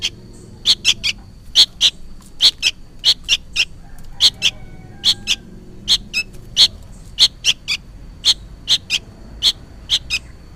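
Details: Young sooty-headed bulbul calling loudly, apparently for its parent; a busy run of clipped, piercing chirps, singly and in doublets, roughly two per second, over a faint constant high-pitched hum.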